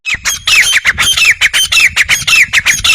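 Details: Grey francolin calling: loud, harsh, squawking notes repeated rapidly, about five per second, each note with a falling stroke, keeping a steady, insistent rhythm throughout.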